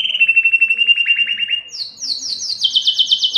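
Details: Belgian canary song meant to stimulate breeding females: a steady fast trill that breaks into slower, lower pulses, then jumps to a high chopped series of repeated notes.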